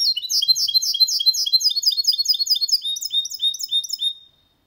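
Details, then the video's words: Clean-singing goldfinch-canary hybrid, a song meant to push males to sing and chicks to learn; a dense, rapid sequence of sharp, high chirps and buzzy twitters runs steadily before fading out. "Mixto de Jilguero Cantando Limpio 2022 para Estimular"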